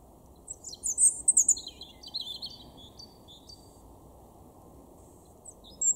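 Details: Garden European robin in Weener, East Frisia, northwest Germany, April 2021, delivering a varied song phrase: high, thin whistles sliding into quick warbled twitters, tailing off into a few soft, widely spaced notes before another rises at the end.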